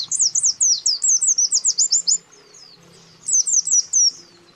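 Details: Lure calls of a white-eye pair, male and female, summoning a rival: a fast burst of piercing high chirps, then a gap and a shorter burst of similar notes.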